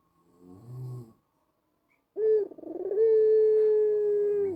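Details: White ringneck dove with a black collar, cooing used to prompt caged doves at home to coo along: a soft low rumble, a pause, then a rolling burr that runs into a long, steady, slightly falling mellow coo.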